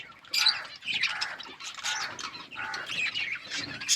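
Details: Pet budgies chattering while they feed: a dense, continuous high warble of squeaky chirps and short squawks, rising and falling in loudness without a break.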